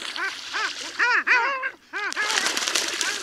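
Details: Long-tailed ducks at Liepāja, Latvia, recorded in January 2024, giving a few loud arched yodelling notes in pairs and triplets, then rushing surf-like noise taking over.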